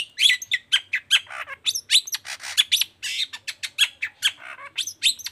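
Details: Fast, busy long-tailed shrike song used to trigger other shrikes to sing. Quick sequence of harsh squawks, clicks and sharp whistled notes running continuously for several seconds.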